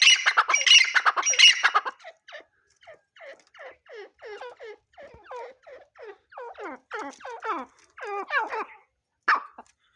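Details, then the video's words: Grey francolin, known locally as teetar, opening with a harsh raucous burst, then a long steady series of hooked, downslurred whistled notes repeated several times per second, growing louder and higher before ending in one sharp note. "Partridge birds sounds | grey francolin voice | teetar sounds"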